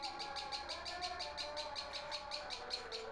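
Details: House-kept long-tailed shrike that sounds off whenever someone comes to the house: short, evenly spaced notes repeated about five times a second, with a steady background hum.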